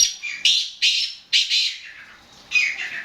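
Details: Black francolin, a kept bird: harsh, grating, high-pitched notes burst out in a quick series of loud strokes, the last one trailing into a softer raspy tail.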